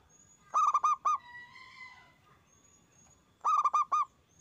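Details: Local zebra dove song played to prompt other doves to answer. Two bursts of four or five full, ringing coos, with a fainter buzzy, wavering call from another bird between them.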